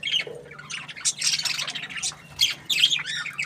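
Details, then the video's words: Cheerful budgerigar chirps: a quick low squeak, then buzzy squawks and twisting warbled notes that rise and fall, closing with a few sharp upward chirps, over a soft hum. "Happy budgie chirping sounds"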